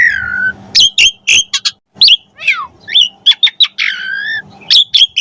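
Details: Asian pied starling singing a varied, lively song used to train and stimulate starlings: a falling whistle opens a string of sharp clicks, twangy upslurs, a down-sweeping buzzy note and drawn-out nasal whistles.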